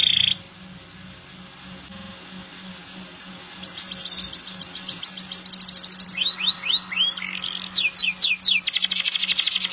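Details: Canary in long, continuous song: after a quiet start, rapid trills of high repeated notes, quick descending sweeps and buzzy rolls, with a steady low hum underneath.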